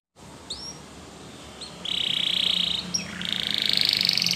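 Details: Spanish Timbrado canary song used for training other canaries: brief rising whistles, then loud sustained buzzy trills near the top of the range with a rapid rolling pulse, separated by a short upslurred note.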